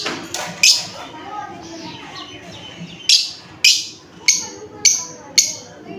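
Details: Lovebird giving loud, clipped, high chirps, about one every half second to second in the latter half, over a murmur of people talking in the background.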